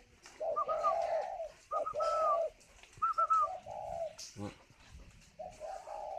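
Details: Captive spotted dove at a breeding aviary in Ba Vì, Hanoi, Vietnam, cooing while incubating; several low, mellow cooing phrases with a brighter rising note inside each, separated by pauses, with a sharp knock and faint speech between.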